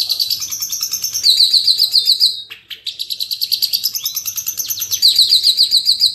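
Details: Long-tailed shrike in a master recording made for training other birds, sung in the speedy, dense 'roll tembak' style: rapid high chirps and trills repeated several times a second, dipping briefly midway before fast bright runs resume.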